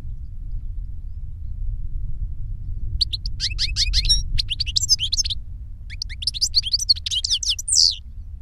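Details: Goldfinch song from an older bird teaching a younger one. About three seconds of low hum, then a fast jumble of high liquid twitters and trills that continues to the end.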